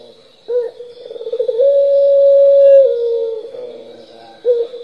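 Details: Single full 'pelung' coo of a turtle dove from a lure recording: a short opening note, a quickening pulsed ripple, then a long level tone that steps down at the end. The next coo begins at the close. A faint steady high hum is present.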